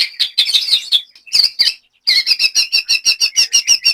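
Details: Caged white-rumped shama from Banyumas, Central Java, Indonesia, singing at a training session: loud, sharp high chirps in rapid bursts, a brief pause, then a steady run of evenly spaced two-toned notes about four per second.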